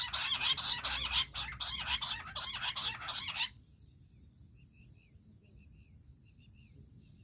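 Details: Jungle bush quail call used for quail hunting: harsh, buzzy, rapid notes pulsing about twice a second for three and a half seconds, then cutting off, leaving faint thin chirps of other small birds.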